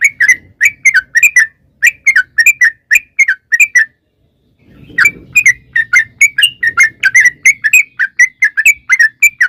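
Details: Sooty-headed bulbul in full, lively 'ropel' song used as a lure: two long runs of quick, ringing chirps separated by a brief silence, with faint low background noise during the second run.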